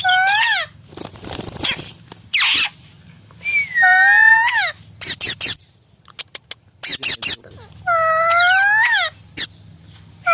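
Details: Indian ringneck parrot kept at home, giving loud rising-and-falling whistled calls and harsh squawks at irregular intervals, with clicks and a low hum in the background.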